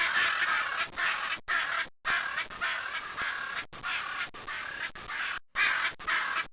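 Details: Macaws in trees of the savannah give harsh, raspy squawks in rapid bursts, about two per second with short breaks, loud and grating with no other clear sounds.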